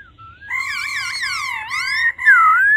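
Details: Stimulating the male, a female laughingthrush makes a 'ro ro' call of overlapping level and swooping whistles that dip low mid-phrase, then a bright rising whistle to finish.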